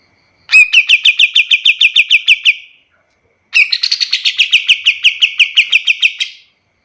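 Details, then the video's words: Two long chirping trills from a white-shouldered triller, each of roughly fifteen to twenty rapid sharp notes, separated by a second of silence; recorded as teaching material for other birds. "Suara kapas tembak paling bagus untuk masteran burung lain"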